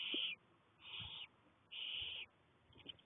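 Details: Six young barn owl chicks, still fairly newly hatched with little fluff, calling in daylight on 1 May 2020; three harsh, breathy hissing bursts, each about half a second long and spaced under a second apart, with quiet gaps between.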